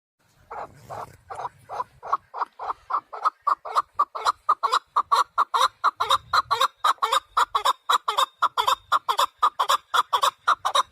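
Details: Male partridge calling for hunting use: a steady series of hoarse, clucking chuck notes, about two per second, that start softly and grow louder and more even over eleven seconds.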